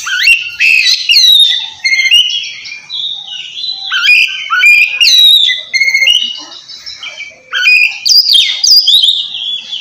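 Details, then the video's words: Ngeplong song of an Oriental magpie-robin calling out to a rival. Loud, clear whistled notes and rising and falling slurs in several long phrases, mixed with sharp high chips, with slight dips in volume between them. "suara kacer ngeplong memanggil lawan cocok buat mancing kacer malas bunyi"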